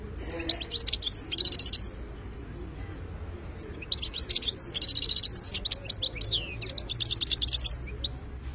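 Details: Khlawi song of a European goldfinch: three bursts of rapid tinkling twitters and dry buzzy trills, separated by short silences.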